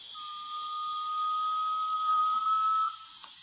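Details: A garnet pitta gives one long, pure, steady whistle lasting nearly three seconds, rising slightly at the end, over a constant high hiss of insects.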